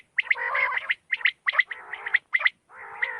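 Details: Quail calling at night, alternating sharp bright notes with longer, lower gargled phrases, several bursts within about three seconds.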